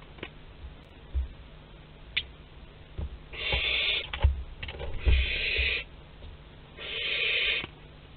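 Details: Young barn owl at its parents' food store, Théding, France, 10 July 2021: three harsh screeching hisses, each about a second, spaced roughly two seconds apart, amid clicks and bumping sounds.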